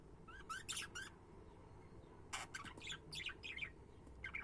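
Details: Budgerigars chattering in loud bursts of harsh, buzzy chirps and squawks, several quick notes packed together, a pause, then a longer run of scratchy rising and falling twitters over faint room hum.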